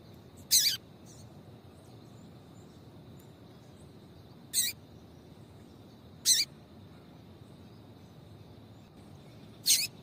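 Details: Yellow-bellied seedeater female calling to excite males; four bright, high-pitched chips spread unevenly across ten seconds, each short and slightly descending, with faint soft notes and a steady background hum.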